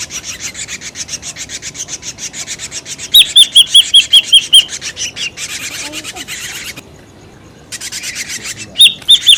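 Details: Ashy drongo lure sound: steady raspy chatter at first, then a bright run of about seven clipped whistled notes, and more harsh scolding after a short gap.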